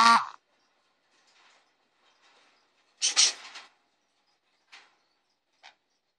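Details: Young male Jenday conure indoors, first time leaving his enclosure at a new home: a harsh opening screech, then a noisy, rasping call after three seconds, followed by two brief clicks.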